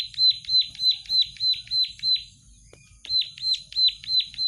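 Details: Plain prinia in gacor song, loud buzzy downslurred notes repeated about three per second, one phrase, a brief pause, then another run.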